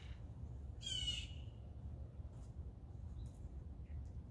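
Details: Blue jay eating peanuts, giving a single harsh, squawking call lasting about half a second with a buzzy, layered tone, followed by faint short chips over steady low background rumble.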